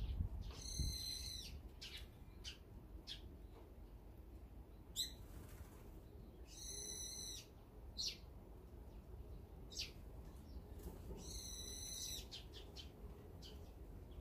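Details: Brown-eared bulbuls in a group feeding calmly together, with other birds nearby: three bursts of harsh, buzzy, layered calls about five seconds apart, with scattered short sharp chirps between them.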